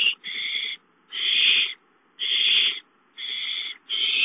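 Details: At an owl nest as a gopher is delivered, grating screeches repeat about once a second, five rasping bursts of varying length with short silences between.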